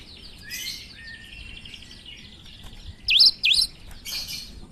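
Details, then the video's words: Faint twittering chatter precedes two crisp, swooping whistled notes from a cinereous tit known for its strange, chatty song, then a short buzzy burst. "Gelatik batu gacor suara aneh"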